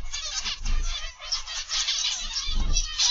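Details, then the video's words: Zebra finches in an aviary, afternoon/evening of 29 November 2021, chatter in a dense overlapping flock: a steady stream of nasal beeps and buzzy trills over a low background rumble. "Zebra Finch Aviary Live"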